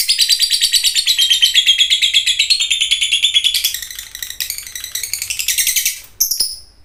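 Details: Fighter-type lovebird in full song in a training recording meant to test and stimulate other lovebirds: a long, dense, shrill chattering trill of rapid squeaky notes that runs without pause, softens midway, then ends in a few sharp chirps.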